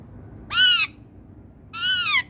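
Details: Ring-necked parakeet kept as a pet, two loud, harsh, arched screeches about a second apart over a quiet room hum.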